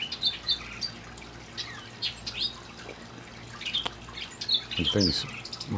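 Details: Hooded oriole singing in palm trees one evening: high chattering, squeaky notes and short slurred whistles in irregular bursts, with a few low knocking and rustling sounds near the end.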